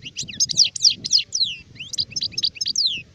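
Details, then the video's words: Adult European goldfinch, known locally as sharif, singing in 2019: a fast tumbling run of high twittering notes, sliding whistles and buzzy trills, with a low murmur of background noise underneath. "تغريد حسون كهل (شارف)"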